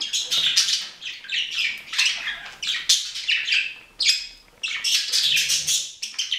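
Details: Lively budgie chatter in rapid squawky bursts, clusters of high chirps with short pauses around the four-second point.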